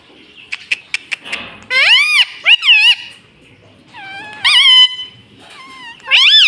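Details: Talking pet rose-ringed parakeet, prompted to say "Mummy": a few faint clicks first, then bursts of strained, speech-like squawks with bending pitch, separated by short quiet gaps.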